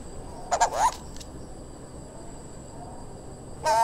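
Turquoise-browed Motmot giving a short, nasal, rising call, then another just under three seconds later, with a faint steady high hiss behind.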